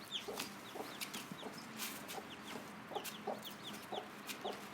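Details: Mother hen, day one, showing her chicks where the food is with a steady run of soft low clucks, answered throughout by many thin, falling chick peeps.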